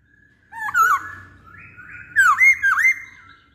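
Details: Brief masked laughingthrush phrase: one twisting whistled note, a level tone, then two loud, clear dipping whistles in quick succession.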